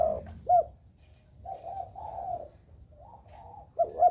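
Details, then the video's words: Spotted dove in round coo (gù tròn): loud short hooting notes at the start and end, with softer, drawn-out low coos in between and a faint steady high tone behind. "Chim cu gáy gù tròn, giậtcánh hay"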